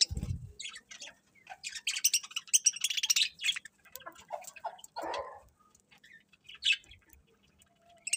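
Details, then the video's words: Morning bird chirping, a busy chorus of short high tweets and rapid twittering runs, with a low thump at the start and a few lower calls later. "Cute Birds Chirping Sounds In The Morning"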